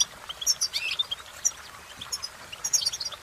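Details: Short goldfinch song fragment: a few bright, high tinkling notes and rising chirps in two loose bursts separated by a quiet gap, over a faint noisy background.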